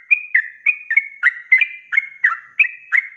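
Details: Sooty-headed bulbul, ropelan song used as a training recording for kept birds: quick paired whistled notes, a high flat tone then a lower dropping slur, about three per second.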